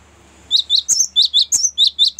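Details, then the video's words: Cinereous tit rolling song used for luring and as a master song: following a quiet lead-in, a rapid, steady sequence of about nine sharp, high two-part chirps. "ngerol panjang sangat bagus untuk pancingan gelatik batu dan masteran"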